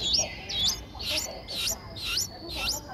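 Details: Nine-day-old Streak-eared Bulbul nestlings in Ubon Ratchathani, Thailand, recorded 11 April 2023. They give high, thin upswept chirps roughly every half second in a steady series. Quiet background.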